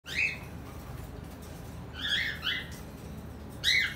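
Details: Cockatiel; mating call; courtship at the start of breeding season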